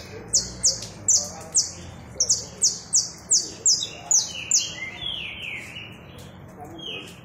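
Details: Saffron finch with a rapid train of about twelve sharp, high, downward-slurred chips. It then shifts into softer, lower sliding whistles that fade out near the end.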